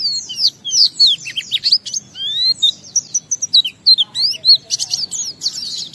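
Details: Oriental white-eye singing in an excited, fast burst, used as a lure to prompt other white-eyes to sing: high thin whistled notes and sweeping slurs tumbling in quick irregular bursts, some rising, some falling, about a second of pauses between phrases.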